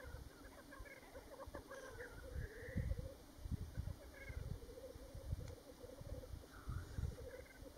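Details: Black grouse on Ruabon Moor at World's End, North Wales, 25 March 2018: steady dove-like bubbling runs of quick notes with several drawn-out hissing sneezes, heard through gusty wind noise on the open moor.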